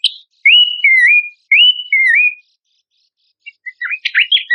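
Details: Horsfield's babbler as tutor song for contest birds: four loud slurred whistles in two rising-then-dipping pairs, then a pause and a fast, busy jumble of chirps.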